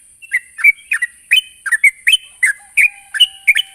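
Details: Sooty-headed bulbul calling to a rival: a rapid series of short, bright, slurred notes, about two or three per second, some rising and some falling, over a steady high electronic hum.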